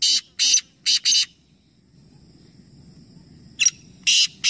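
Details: Black francolin at Nawabshah, Pakistan, in a three-bird calling competition. Four harsh grating notes run in quick succession, then a quiet pause with low rumble, then a sharp note and another rasping burst begin the next phrase.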